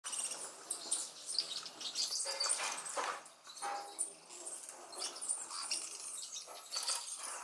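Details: Booted racket-tail at a hummingbird garden in Valle del Cauca, Colombia, on 10 July 2019, gives thin, high chips and twitters at an uneven pace, over a busy wash of wing hum and other high bird sounds.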